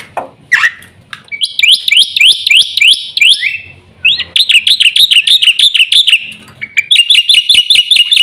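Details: Jalak putih, the black-winged myna, delivering rapid rising whistled notes repeated in quick runs, with brief pauses between bursts and a harsh note at the start.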